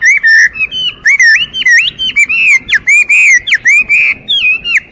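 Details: Chinese hwamei sings continuous, melodious, fluting whistles, with wavering and sharply slurred phrases running without pause; soft low background noise.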